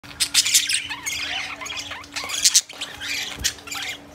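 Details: Young budgerigars chatter in a busy stream of scratchy squawks, chirps and warbles.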